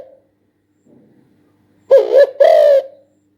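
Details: Single Spotted dove phrase near the end, a quick wavering coo then a sustained low coo that fades out, preceded by quiet rustling.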